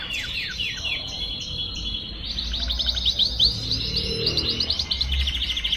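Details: Young canary settling its song: high slurred notes followed by rolling rapid trills, with steady low-pitched background noise and a faint hum throughout.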